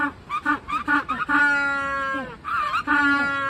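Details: Magellanic penguins at an aquarium, resting and then suddenly noisy, give a quick run of short nasal honks, then a long, donkey-like bray that falls away, followed by more braying from several birds.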